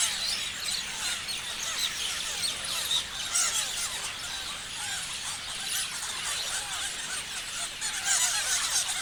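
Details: Noisy parrot flock: shrill chirps and squeals pour out without pause, dense and overlapping, swelling slightly louder toward the end.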